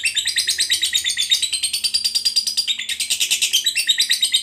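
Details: Lovebird, fighter type, in full long trill (ngekek panjang): steady rapid, high, rasping chatter of about six notes per second, said to provoke other lovebirds into calling.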